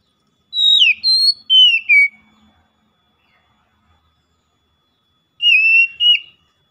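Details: Oriental magpie-robin giving a loud ngeplong-style daily lure song: two bursts of clear, ringing whistles, each dropping in pitch, with a few quick notes and about three seconds of silence between.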